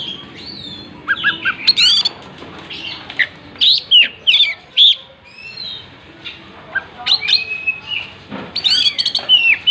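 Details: Oriental magpie-robin in vigorous song, tail open: loud clear whistled phrases alternate with sharp chirps and short rapid bursts, broken by brief pauses.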